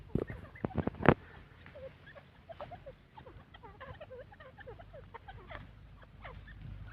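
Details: Grey francolin chicks from Taunsa give soft, high peeping chirps, many overlapping in quick succession, after a few loud knocks and handling thumps at the start.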